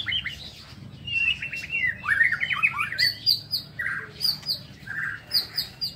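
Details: Aviary-kept White-rumped shama singing in the morning, a burst of rich tumbling whistled notes, then spaced phrases with a high thin whistle repeated several times and soft lower chirps.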